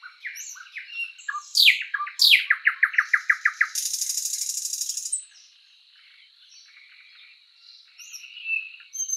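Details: Spring forest song of the thrush nightingale, with soft warbles, two strong downward sweeps, a rapid run of about ten clicks and a sustained dense rattle, followed by quiet faint notes.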